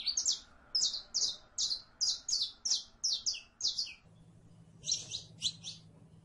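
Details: Rapid series of loud, high, buzzy chip notes from a saffron finch, about two per second, followed by a short pause and a few more notes.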